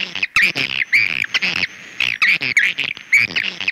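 Swiftlet chatter: harsh, buzzy twittering chirps in rapid bursts, about two per second, with a faint steady high whine behind them.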